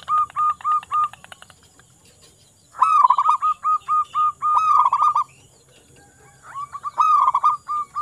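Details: Wild local zebra dove singing to lure other doves into song: repeated phrases of quick, bouncy cooing notes, some running into rapid trills, with short pauses between phrases.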